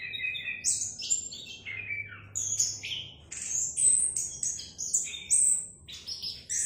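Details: Varied, clear song of an orange-headed thrush: rich whistled phrases sliding down in pitch, mixed with high sharp notes, delivered continuously in a quiet setting.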